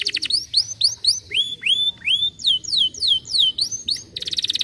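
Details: ['Canary song, offered for stimulating lazy canaries to sing: a fast run of high, swooping whistled notes, each sliding down then leveling, about three to four per second. It ends in a buzzy rapid trill.']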